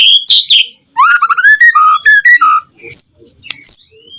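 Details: White-rumped shama in full song, used as a lure to provoke other shamas into singing: loud varied whistles, sliding and stepped phrases, sharp high notes and brief clicks, mixing low mellow tones with piercing higher ones.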